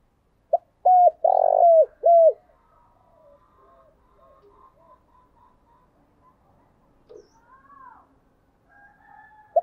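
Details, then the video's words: A spotted dove phrase, used to rouse newly caught doves into the 'giọng thổ' voice, opens with a pip, a coo, a long burry coo and a falling coo. Several seconds of faint, scattered soft notes follow, with one more pip at the end. "cu gáy kích bổi nhanh nổi giọng thổ"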